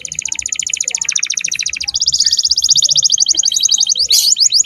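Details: A steadily singing canary serves as a lure for young birds, delivering long, rapid rattling trills that step up in pitch midway, with bright chirps near the end.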